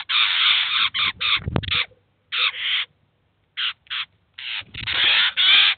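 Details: Eurasian jay and chicks at a cheese feeder, 2019: long, loud raspy screeches and shorter harsh bursts in rapid runs, with a brief thump midway and short pauses between groups.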